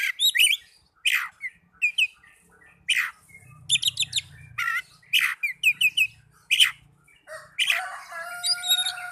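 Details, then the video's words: Oriental magpie-robin song, played as therapy to get young or silent birds singing. Loud bursts of varied notes: sharp descending whistles, chirps and rapid trills come in quick phrases, ending in a dense, scratchy warble. "Terapi burung kacer muda dan kacer macet bunyii"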